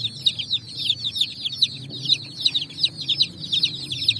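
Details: Brightly coloured chicks foraging on sand in the evening sun; loud repeated high cheeps from many chicks, each a quick downward slur, over a low background murmur.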